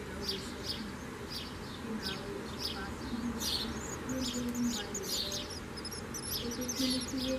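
Common swifts give shrill, buzzy screams in rapid overlapping bursts, roughly twice a second, over a low steady rumble.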